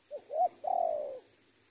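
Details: Lure spotted dove kept as a decoy and calling a rival gives a single phrase: two brief, low coos followed by one long, slightly wavering coo that slides gently downward, with faint background hiss.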